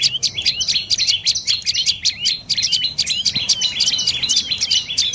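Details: Rapid shrill chirping by a dark-necked tailorbird: clustered sharp notes with quick downward inflections, repeated steadily for about five seconds, a brief soft knock midway.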